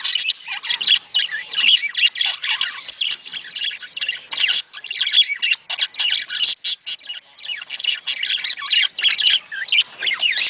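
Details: Flock of budgerigars, their chatter used to get budgies breeding: busy, scratchy high warbling with quick chirps and squawks in rhythmic bursts over ten seconds.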